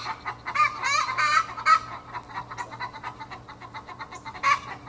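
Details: Pre-laying Australorp pullets aged 20 weeks cackling the egg song in a backyard: a quick run of wavering, nasal squawks in the first two seconds, softer clucks, then one more loud cackle, over a steady low hum.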